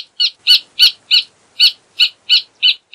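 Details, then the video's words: Rufous hornero (Furnarius rufus) giving loud, clear, bright notes repeated about three times a second, each a short ringing note on a steady pitch, with brief silent gaps between them and no other sounds. "Hornero Canto - Rufous Hornero Bird Song"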